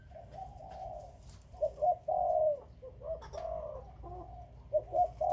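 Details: Spotted dove from Khmer and Malay breeding birds, giving low mellow coos: short paired notes running into longer drawn-out, slightly falling coos, several phrases in quick succession, with faint clicks in the background.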